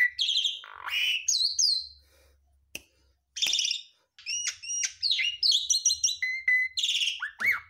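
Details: A Javan pied starling (garuda mompa type) sings a loud, varied medley of whistles, chirps and trills with mimicked phrases, in full song with bursts broken by a short pause, used as a training recording for songbirds; no other sounds.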